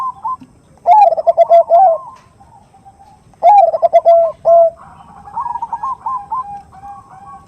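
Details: Zebra dove (perkutut) used as a lure: a female calling a male, 'nutut' style, big 'khung' voice. Two loud low rolling coo phrases about two and a half seconds apart, followed by softer higher trilled notes.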